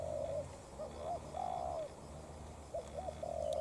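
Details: Spotted doves in a challenge, decoy against wild bird: stammering short coos rising into a long hoarse coo, phrase repeated twice, steady low hum behind.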